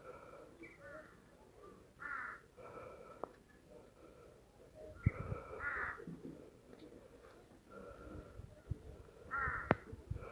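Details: Crows calling in the forested Tirthan Valley of the Western Himalaya, near apple trees and snow mountains; raspy, nasal caws come in short runs every few seconds, with faint low rumbling and a sharp click in the background.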